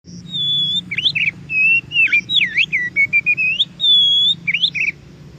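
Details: Wild Oriental magpie-robin singing in nature, the recording used to prompt captive birds to answer: clear whistled phrases, long steady notes alternating with rising and falling slurs and quick chopped notes, over a faint low hum.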